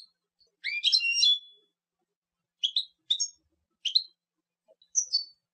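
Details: European goldfinch producing a short jumbled twittering phrase followed by four spaced, sharp, upslurred chirps.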